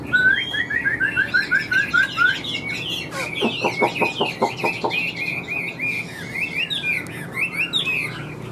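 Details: Chinese hwamei, a big bird with yellow legs and bill, singing: a run of short rising whistles, then a series of rapid harsh chattering notes, followed by flowing varied whistled phrases.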